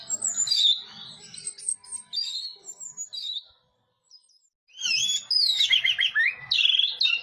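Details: Orange-headed thrush singing in teler style, high slurred whistles and chatter, a brief silent gap, then an energetic cascade of warbling, looping whistled notes.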